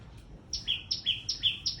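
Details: Loud calling of a small bird: after a brief quiet start, four quick piercing chirps, each a high note stepping down to a lower one, in a fast even rhythm.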